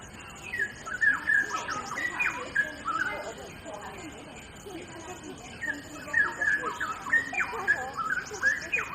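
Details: Straw-headed bulbul (cucak rowo) in gacor song as a master recording: two dense bursts of quick, warbled, descending whistles separated by a softer pause, with a faint steady background hiss.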